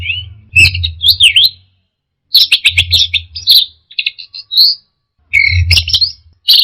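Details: Orange-headed thrush singing in the 'teler' manner, with rapid scratchy warbles and dense chattering notes in three bursts with short silences, plus a clear high whistle, over a low hum.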